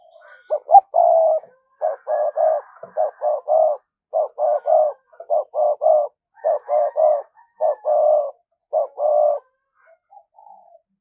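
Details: Spotted dove used as a lure bird, cooing to draw in wild doves: low, soft coos in quick paired and tripled groups, repeated steadily for about nine seconds in a quiet setting.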